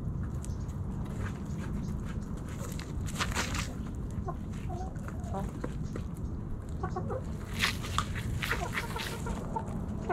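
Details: Backyard hens and roosters snacking at Thanksgiving give scattered short clucks among sharp pecking clicks and rustles over a steady low rumble; possible voices in the background.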